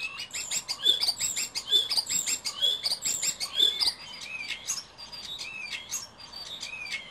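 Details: Courting male common starling at a balcony nest box in Berlin, singing a busy medley of high squeaky whistles, clicks and chattering notes, with bright sharp whistles recurring roughly every second early on, then softer warbled chatter.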